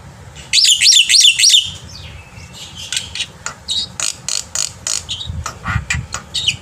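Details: Black-winged myna singing in the morning, used as a tutor for young birds: a loud run of harsh, wavering notes, then a spread of scratchy chattering and clicks with background hum.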